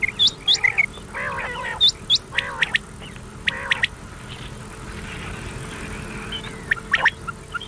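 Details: Common quail on an old cassette recording meant to be played at night until morning as a lure, giving sharp, high, upward-flicked whistles in quick groups mixed with lower nasal buzzy notes, over a steady background hiss.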